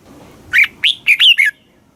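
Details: Red-whiskered bulbul, Thailand, southern master-song style played for caged birds and young learners: one clear phrase of five rich, fluty notes rising and falling, delivered in under a second.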